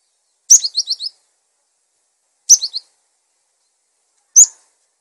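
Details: Cinereous tit singing, used for coaching other birds: short phrases of three to five quick, high, slurred notes, repeated about every two seconds, ending with a single sharp note.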